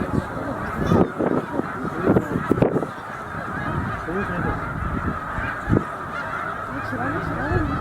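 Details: Migrating snow geese, some 100,000 gathered at Middle Creek wildlife refuge before continuing north to breeding grounds; constant chorus of honks under low rumbling wind-like noise, with several sharp nearer calls cutting through.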